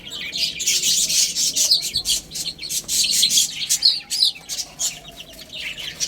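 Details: A group of little chicks chirping while they eat and play, giving shrill, rapid peeps about four a second, mixed with dry tapping from pecking.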